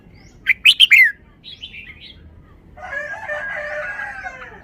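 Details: Caged red-whiskered bulbul singing in the forest-song style, loud and far-carrying: three sharp, bright whistled notes in quick succession, a softer warble, then a long harsh rooster crow takes over in the background.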